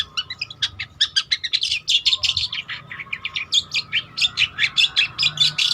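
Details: Long-tailed shrike of the trotol type giving master song for training: long, fast stream of scratchy chirps, whistled squeaks and mimic-like phrases, nearly continuous and varied, over a soft constant hum.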